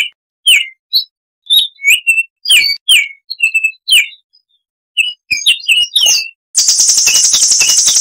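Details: Baltimore oriole giving a wild-type 'tembakan' song, short clear whistled notes, some sliding down, in quick uneven bursts with brief pauses, ending in a dense buzzy rattle.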